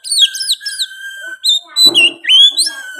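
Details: Oriental magpie-robin song with sooty-headed bulbul phrases: quick downslurred chirps over a steady whistled tone, a brief rasp, then a bright rising whistle and a return to the held note.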